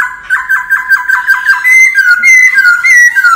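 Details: Laughingthrush singing in wild forest style for voice training: about seven quick, evenly spaced dipping notes, followed by longer, looping clear whistles.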